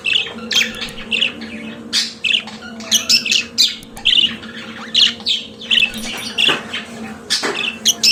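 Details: Pet budgerigars singing: lively chatter of short squeaks, harsh rasps and whistled chirps in rapid repeated bursts, over a steady low electrical hum.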